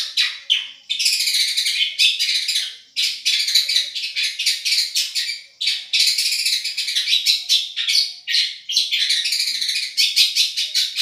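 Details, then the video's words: Long-tailed shrike of the Madura type in a song-tutoring recording: dense, high, scratchy chattering song in long unbroken bursts, with rapid twittering phrases broken by brief pauses around three and six seconds. "Suara Juara Nih!!! Cendet Madura"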